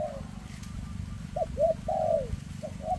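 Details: Spotted dove with a leg problem calling in the thick 'rước' style: brief paired coos, then one long, smooth coo that slides down at the end, with low background droning.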